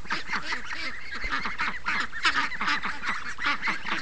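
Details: Morning gathering of free-range ducks drawn by the sound of running water; loud, rapid, rhythmic quacking from many birds, pulsing several times a second.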